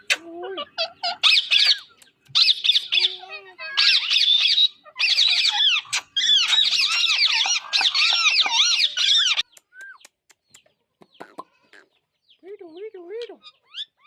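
A rose-ringed parakeet gives rapid, harsh, high-pitched screeches and squawks with wavering chatter for about nine seconds, then trails off into softer, scattered squeaks.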